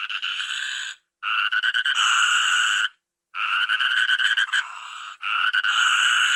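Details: Toucan giving harsh, grating croaks in three sustained bursts of one to two seconds each, separated by short silences. Each burst sounds nasal and rattling with a rough, pulsing texture.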